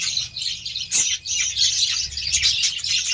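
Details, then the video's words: Several budgerigars being fed beetroot keep up busy, overlapping chirping and twittering, high and scratchy, with a short sharp squeak near the start and steady chatter throughout. "BUDGIES SOUNDS"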